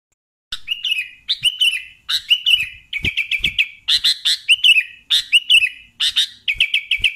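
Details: Sooty-headed bulbul singing actively: short bright chirpy phrases, each a sharp click followed by a warbled note that dips and wavers, repeated in quick bursts roughly once a second, with faint low knocks between.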